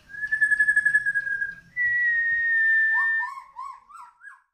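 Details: Long-tailed Medan white-rumped shama, tail pushed as it sings in full continuous flow. Long steady pure whistles, then a string of short, bouncing, rising notes.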